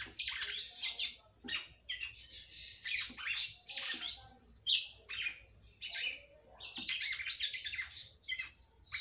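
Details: Kept by bird breeders, a female red-cowled cardinal sings vigorously to arouse her male. Near-continuous, high, scratchy warbling runs in several long phrases with bright whistled slurs and brief gaps.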